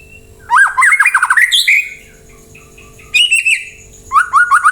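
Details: Lure song of a white-rumped shama, used to get other birds answering and singing: bursts of loud, rapid warbled whistles separated by short pauses, ending in a quick repeated phrase.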